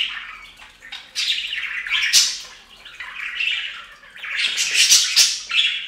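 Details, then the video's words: Several budgerigars bathing on a fountain keep up a dense, scratchy warbling chatter with sharp high chirps, nearly continuous and in uneven bursts. "Best Budgie Bath EVER! + Budgie sounds"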